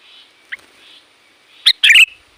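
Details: Sooty-headed bulbul with a loud, varied voice, used to call in wild bulbuls. A soft thin note, then two sharp, loud, harsh chirps close together, over a faint steady whistle.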